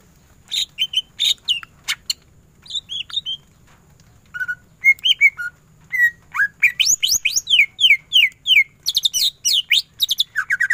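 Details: Cucak ijo, a greater green leafbird, in full energetic song of the ngentrok tembakan style. Varied chirps and short whistles build into fast runs of steep rising and falling sweeps, then dense bursts of notes, over a soft low hum.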